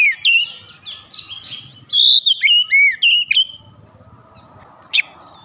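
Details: Oriental magpie-robin (kacer) belting out song with beak wide open: varied whistled and scratchy phrases, a strong sequence of looping whistles midway, then quiet with one short sharp note near the end.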